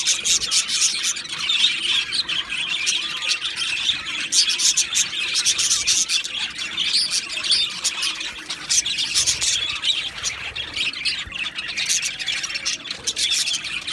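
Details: Steady warbling chatter from two male Australian budgerigars: high, crowded twitters and clicks that keep going, swelling into louder bursts around the middle and the end.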